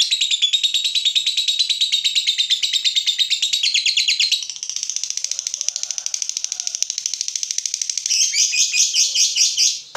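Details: Lovebird fighter agitated by a rival pours out a continuous high, buzzy chatter, softening mid-way into a thin steady rattle, then rising again into louder harsh squeaky notes.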